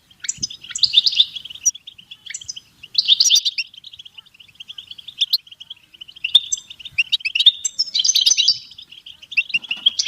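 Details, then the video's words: European goldfinch singing: a fast, tinkling stream of twittering notes held in a high band, with bursts of buzzier, brighter phrases breaking in every few seconds. "Best beautiful stimulation of européen goldfinch"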